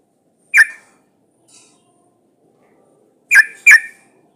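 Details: Trucuk bulbul female in breeding condition calling males: one sharp clipped note, silence, then a quick pair of similar emphatic notes.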